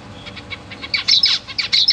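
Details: Young zebra finches in a large cage with their parents, September 2023: soft, thin chirps at first, then louder, sharp, slightly descending tweets in quick bursts during the second half.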